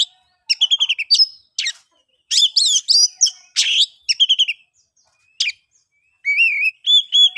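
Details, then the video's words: Ngeplong song of an oriental magpie-robin, played to spur silent birds into singing: stuttering chips, scratchy buzzes and mixed phrases, closing with clear wavering whistles. "KICAUAN ASLI KACER NGEPLONG, paling ampuh di jadikan pancingan kacer macet & bisu jadi GACOR"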